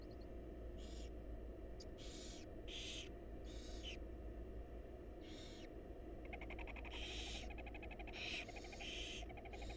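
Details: Barn owl nestlings, wild birds in a research nest box, calling for food as the mother brings it: a series of rasping hissed shrieks, irregularly spaced, with a brief rapid ticking rattle midway and constant low hum.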